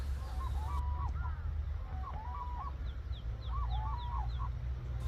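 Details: Endangered black-necked cranes wintering in Phobjikha Valley, Bhutan, on a cold early February morning call three times in distant, rolling, bugling phrases about every one and a half seconds, over a deep steady rumble of wind, with faint high bird notes.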